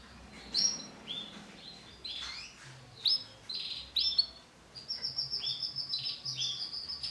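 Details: Yellow bon male canary in full song, mixing sharp whistled notes, rolling trills and short sliding phrases, ending in a long run of fast repeated pulses, over a soft low background hum.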